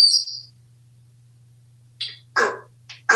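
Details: Talkative pet African grey parrot at home in Texas. A high, thin note opens the clip, then a pause, then several short, harsh word-like syllables in quick succession.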